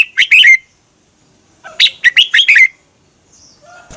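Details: Red-whiskered bulbul from Thailand, kept caged, whose song is played to teach or rouse caged birds: a quick three-note warble, a pause, then a longer rollicking phrase of about six sharp, bubbly notes.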